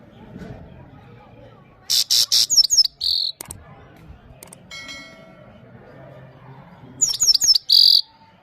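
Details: Himalayan goldfinch singing for a female, Parachinar: two bright bursts of rapid high twittering and sweeping notes, the first near two seconds and another near seven, with quiet low background hum between.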